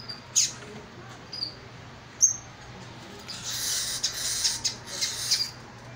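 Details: A singing female double-collared seedeater, called a rarity, giving a few thin, high, sharp chip notes about a second apart, followed by a run of harsh, scratchy bursts over a faint low hum.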